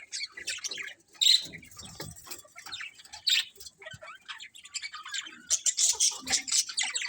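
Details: A colony of colourful budgies keeps up continuous twittering, with many overlapping bright chirps, short whistles and raspy notes building busier toward the end.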